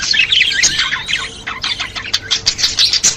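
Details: Budgies chattering, offered as stimulation for pet budgerigars: fast squeaky twittering with a drawn-out whistle, then harsher sharp ticks and chirps spaced irregularly.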